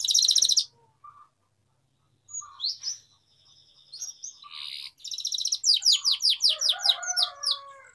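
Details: Canary singing as a training lure to help young canaries learn to sing: high varied phrases broken by pauses, a buzzy trill, then a fast run of sharp downslurred notes over a lower warble.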